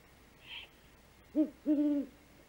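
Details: Female great horned owl returning to her nest at 5:41 am on 3 March 2018, giving the food call while watching the male hunt; two soft, low, arched hooting notes after a faint brief sound, with a quiet background hiss.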